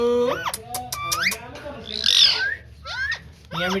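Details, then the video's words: Green ringneck parrot talking, mixing bright rising whistles and quick stacked chattering notes with a loud grating squawk in the middle, then a falling whistle and another harsh note. "Parrot Talking|Green Ringneck Parrot"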